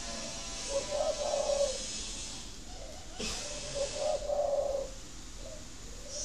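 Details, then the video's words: Breeding coo of a captive spotted dove, used to encourage laying: two deep, throaty rolling phrases roughly three seconds apart, partly masked by steady broadband hiss and a brief rustle between them. "Tiếng chim cu thúc đẻ"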